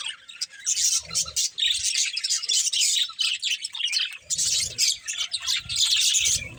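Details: Budgies playing together keep up a lively warbling chatter of scratchy high chirps, fading briefly near the middle before rising again, over occasional soft thuds.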